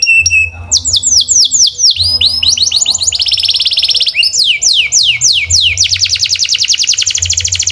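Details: Canary song in varied tours: a short whistled tone, then swooping repeated syllables, a dense buzzing roll and fast descending trills, all high and loud over a faint low droning hum.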